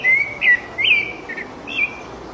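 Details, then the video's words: Short burst of song from a wild rufous-bellied thrush: four or five smooth whistled notes, one long level note followed by quicker slurred ones. "SABIÁ LARANJEIRA CANTANDO MUITO SOLTA NA NATUREZA LINDO CANTO DA SABIÁ LARANJEIRA"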